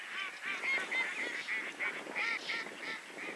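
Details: Velvet scoters calling near Rawa Mazowiecka, Poland, in a dense, overlapping chorus of short, nasal, honking notes, several every second, with no other clear sounds.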